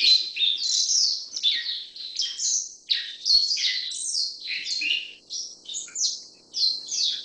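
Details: Black-faced bunting keeps up a long sequence of high, sharp chirps and twittered phrases. The notes vary between slurred, buzzy and clipped and are delivered in quick succession, with faint low background hiss.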